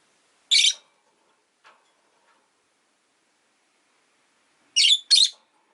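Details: Rosy-faced lovebirds in a window-side cage give one harsh screech, then after a pause a quick double screech, with faint low background noise.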